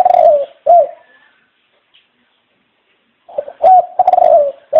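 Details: Mellow coos from a dove: the end of one phrase, a quiet gap, then a new phrase of a short note, a long quavering coo and a final clipped note.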